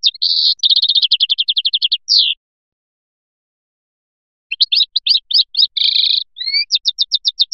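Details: Felyachi song of a European goldfinch from Biskra: a quick trill of evenly repeated high notes ending in a descending slur, a two-second pause, then sharp chips, a buzzy burst and another fast trill.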